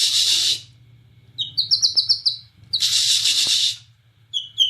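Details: Borneo white-rumped shama singing cililin-type phrases. Loud harsh hissing bursts open and interrupt a quick series of bright, high whistled notes repeated about four times a second, with a low steady hum underneath.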